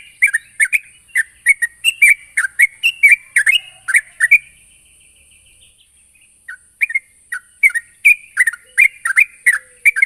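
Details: Vocal sooty-headed bulbul calling a rival, giving a rapid burst of chirps and doubled notes, a pause of about two seconds, then another quick chirping burst, over a constant thin high whine.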